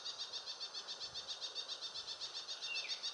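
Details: An ashy prinia at Valley School on 9 September 2019 repeats a high, sharp, buzzy note about four times a second without pause; a short, faint whistle from another bird enters near the end.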